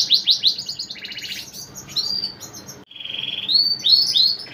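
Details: Male canary, a caged singer whose song draws answers from other canaries, delivering quick high sweeping notes, a rolling trill, then a short gap before bright rising slurred phrases.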